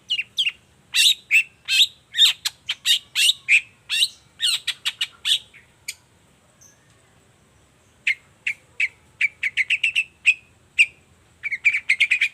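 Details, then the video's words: Morning song of a long-tailed shrike, used to make silent shrikes respond; dense bursts of harsh chattering notes, a pause of about two seconds, then rapid scratchy chips resuming to the end. "Suara cendet gacor Pagi Hari pancingan jitu BIKIN cendet diam langsung nyaut ikutan bunyi"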